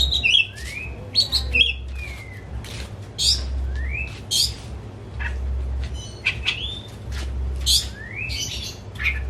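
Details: Caged white-rumped shama kept as a household hobby bird, its song used to coax a quiet shama into singing: clear rising whistled slurs alternating with short harsh clicks and rasps, steady low hum underneath.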